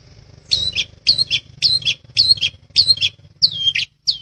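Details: Long-tailed shrike for bird-training master audio in the gacoran rol rapat ngeplong style: paired harsh, slightly downslurred notes repeated steadily about every half second, over a low steady hum.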